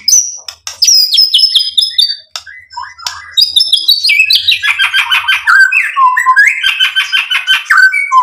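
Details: Lure song of a white-rumped shama displaying its repertoire. High chips and thin whistles open, then build into rapid, chattering, buzzy phrases and warbled trills that continue almost without pause.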